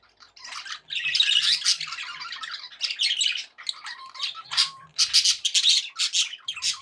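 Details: Pet budgerigars happily chatter in a long warbling ramble of raspy squawks, clicks and chirps, with a pause near three and a half seconds before louder bursts.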